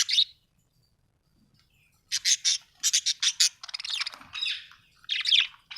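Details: Pet budgies chattering indoors: a lone chirp, a pause, then a fast series of harsh, scratchy squawking notes and warbles.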